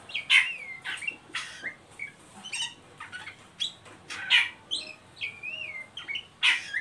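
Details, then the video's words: Ngeriwik of an Oriental magpie-robin, a lure for untrained birds: rich whistled phrases with falling and wavering slurs mixed with scratchy chatter, and strong accented notes near the start, middle and end. "Suara burung Kacer ngeriwik pancingan ampuh buat Kacer bahan"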